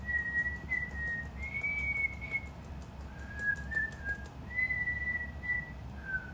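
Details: A pet cockatiel practises a learned tune note by note, a process that takes months: clear drawn-out whistles, some rising and some falling, broken by short chirps over faint room hum.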